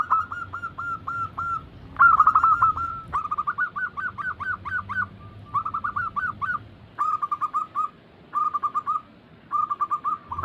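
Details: Zebra doves (perkutut) singing as a lure for slow-singing birds: a run of spaced coos, then rapid rolled phrases of short rising notes, followed by tight, evenly spaced bursts of clipped notes with short pauses between.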